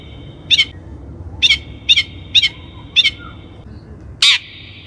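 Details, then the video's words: Long-tailed shrike lure recording used to train birds: a string of five short, nasal, rasping notes spaced about half a second apart, followed by one longer, louder harsh grating call. "THE LONG - TAILED SHRIKE SOUND"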